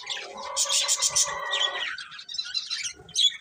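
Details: Budgerigar breeding pair chirping: a loud rich burst of layered harsh warbles and squeaks, followed by softer scattered high chirps.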